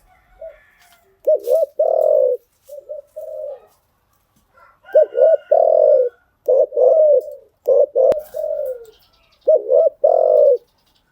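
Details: Spotted dove cooing, a decoy recording for training newly caught birds: low, mellow phrases of a quick double or triple hooting note followed by a longer drawn coo, repeated with short pauses over a quiet background.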